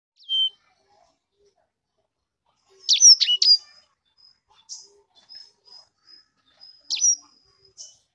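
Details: Sanger bird giving scattered high, sharp chirps and short whistled notes, a quick burst near three seconds, then thin brief tones spaced apart amid silence.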